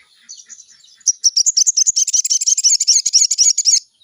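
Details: Sooty-headed bulbul song used as a morning lure to make the bird sing: after a quiet start, a fast, loud, high chattering run of sharp repeated notes lasts about three seconds, with a few soft low taps in the background.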